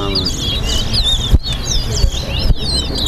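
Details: Chestnut-bellied seed finch, known locally as towa towa, in a singing race between two birds at Lusignan bird ground; quick clear whistled slurred phrases repeat, broken by short pauses, while a man counts numbers aloud over crowd murmur.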